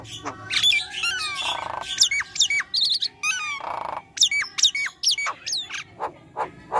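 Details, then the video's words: Nias hill myna singing vigorously in 'gacor' style, used as therapy for stalled mynas: hooked whistles, fast trills of clicks and two harsh, droning squawks, packed densely together. "Jalak nias gacor"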